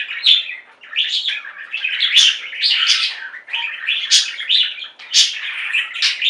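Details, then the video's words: Indoor flock of budgerigars chirping and singing together; rapid scratchy warbled phrases and bright squeaky notes come in irregular bursts, roughly one every two seconds, over constant chatter. "Most Beautiful Budgie songs Ever: Budgies singing and chirping"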